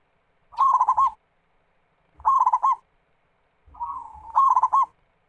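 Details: Local zebra dove (perkutut) in full, vigorous song, played as a lure to get other doves singing: three bursts of rapid, rolling staccato cooing notes, each under a second, repeated about every one and a half seconds, with faint low rumble beneath.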